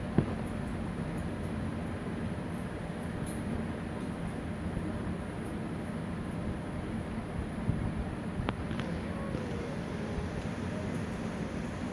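A steady low rumble of passing traffic or a train fills the recording, with a couple of brief clicks and no animal calls.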